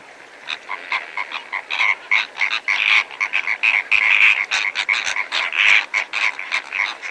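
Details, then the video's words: Several greater flamingos feeding alongside lesser flamingos, recorded from medium-close range: a dense, steady stream of short nasal honking calls, overlapping and repeated several times a second with no pause. "Greater Flamingo / MCU Calls From Several Birds Feeding With Lesser Flamingos"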